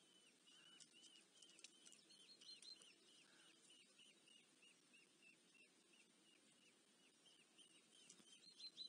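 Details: Eurasian hobby chicks being fed at the nest in Dorset, UK, on 13 July 2024 beg with a rapid, steady run of thin, high, slightly inflected notes, about three a second, over quiet background hiss.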